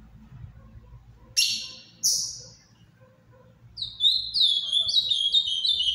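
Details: Captive ultramarine grosbeak (azulão): two sharp high bursts near the start, then a quiet pause before a rapid run of whistled, slurred song notes begins and continues to the end, over low background hum.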